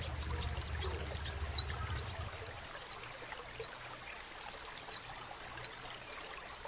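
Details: High, thin crimson sunbird notes start as a fast tumbling string, then break into spaced clusters of two or three twisting chirps; a faint low hum fades out early.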